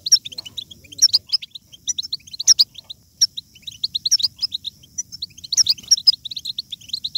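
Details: Goldfinch batbata, the European goldfinch twitter used to motivate other goldfinches to sing: phrases of fast, liquid high chirps broken by brief pauses, with scattered sharp buzzy notes.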